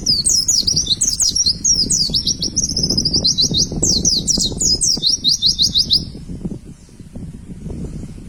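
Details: White-eye kept in a cage, song used to train birds: six seconds of dense, fast, high twittering with sliding notes, then fading into quiet with low rumbling noise.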